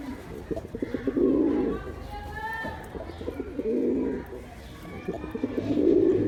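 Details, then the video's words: Male pigeon producing three deep, vibrating coo bursts, each preceded by short stuttering notes, with faint higher chirps in the background. "Pigeon sounds attract pigeons || Male pigeon Sound"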